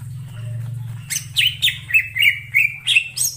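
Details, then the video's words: Greater green leafbird in the wild forest: after a moment of low hum, a series of sharp chirped notes, about three per second, each with a buzzy high attack and a short whistled tail, over a steady low drone. "suara cucak ijo di alam liar_ijo hutan"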